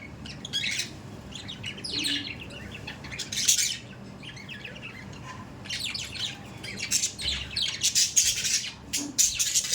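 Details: Pet budgerigars chatter in irregular bursts, about fifty per minute, of buzzy chirps and harsh squawks separated by brief lulls.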